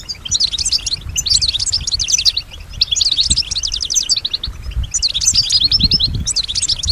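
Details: Female European goldfinch singing in response to surrounding sounds and imitating them: repeated bursts of rapid, high twittering trills in bouts of about a second, separated by short pauses, with faint low background rumble.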